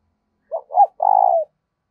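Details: Challenge cooing of a spotted dove, aimed at making decoy birds join in: brief first note, a rising-falling coo, then an extended vibrating coo ending lower, nothing else audible.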